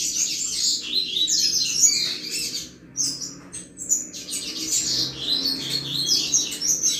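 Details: Chuva song of a double-collared seedeater, played to stimulate other males: a long, crowded run of high, raspy chirps and fast twitters, briefly pausing once before continuing just as intense.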